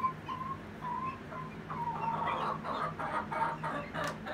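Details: Two hens, a Rhode Island Red and a Golden Comet, said to be singing the egg song: drawn-out mid-pitched notes, then a run of rough repeated clucking bursts about three per second.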